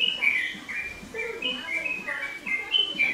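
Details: Energetic song of a yellow-vented bulbul, known locally as trucukan: rapid, bubbling phrases of clear whistled notes, about four per second, rising and falling, with a few lower chuckling notes.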